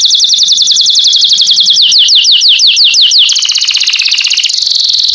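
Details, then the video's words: Canary chick-training song: quick repeated falling sweeps about three per second, easing into slower, wider sweeps, then a steady high buzzing roll that shifts up in pitch. "تعليم فراخ كناري على تغريد"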